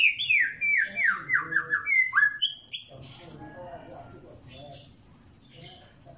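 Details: Song of a white-rumped shama kept for mental training: a rapid run of descending slurred whistles, then a high sharp note. Afterwards quieter scattered notes, with background voices and low noise.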